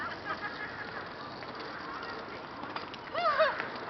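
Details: A flock of rooks in Boscawen Park in Truro, recorded on 08/01/2021. A constant roar of distant calling is heard, then a loud, nasal, two-part caw near the end, close and clear above the crowd.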